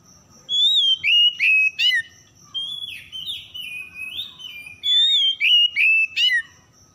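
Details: Oriental magpie-robin singing as a lure to get stressed, silent birds singing again; clear whistled notes, sliding rising and falling phrases and clusters of sharp repeated notes over a constant high-pitched tone.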